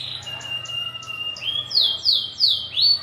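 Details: Local brown canary singing a long rolling song: a sustained steady whistle breaks into rapid repeated sweeping notes, rolling about three times a second.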